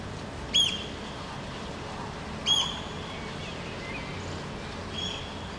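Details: Eurasian oystercatcher standing in the rain in Helsinki, Finland, June 2014, taking off as humans approach, gives two loud shrill piping notes two seconds apart, then a fainter one, over a steady hiss of rain.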